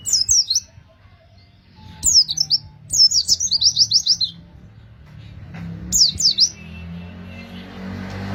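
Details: Bursts of quick high chirping from an Oriental white-eye, separated by short silences, one phrase running into a rolling trill; used to coax other white-eyes into singing.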